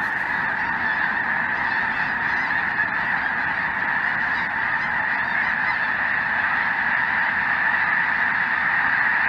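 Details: Sky full of calling geese in southern Indiana, 23 January 2023, Snow Geese alongside Greater White-fronted Geese; a thick, even roar of honks sustained across the whole stretch without pauses.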